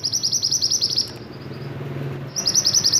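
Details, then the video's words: Singing silver-eye, described as a strong, lively master-song bird, gives rapid high trills of evenly spaced sharp notes in two bursts, with a quieter gap between them and a low background hum. "burung mantenan gacor !!! masteran handal"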